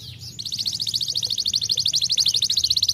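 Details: Canary song used to stimulate lazy canaries to sing: a fast, even trill of short notes repeated about three times a second pulses, high-pitched and steady, starting after a brief softer note, with low background hum.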